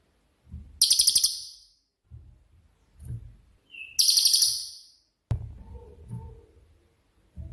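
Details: Cililin, shooting-style ('tembakan') songbird used for training other birds: two brief, very high, rapid buzzy trills separated by low rustles, a short whistle before the second, and low background knocking afterward.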